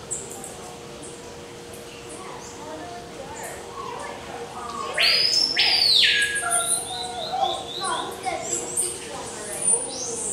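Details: Violaceous euphonia from the forests of eastern South America. A loud arching swept sound is followed by quick, high, thin chirps repeated several times a second over a steady background hiss.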